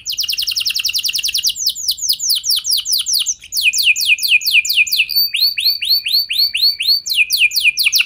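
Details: Long rolling song of a canary, used to get other canaries singing: very fast high trill shifting into slower repeated swooping notes, then a series of looping upward-hooked syllables, continuous throughout.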